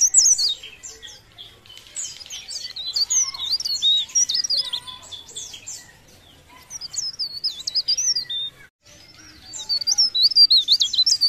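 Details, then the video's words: Energetic leaf warbler song in long bursts of high, rapid twittering notes and swooping whistled slurs, with a short gap before a final run of sweeping phrases. "Cikrak daun Gacor"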